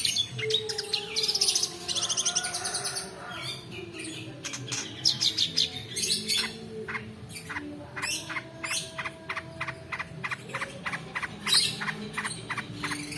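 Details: Lure recording of long-tailed shrike in extended 'roll' song for coaxing silent birds and tutoring others: scratchy buzzing bursts, then a long string of sharp dry clicks and chips at a quickening pace.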